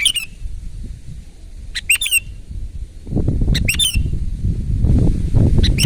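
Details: Loud, lively sooty-headed bulbul song: short bubbly phrases of three or four quick warbled notes, given about every two seconds, with a rising low rumbling noise in the second half.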